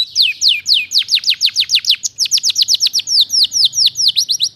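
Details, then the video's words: A canary sings steadily in a tutor recording for magpie-robins: a continuous run of clear, high, downward-slurred whistles, roughly five per second, each sharp and evenly spaced. "Full bongkar isian Kenari Gacor Untuk Pancingan dan Masteran Burung Murai Batu"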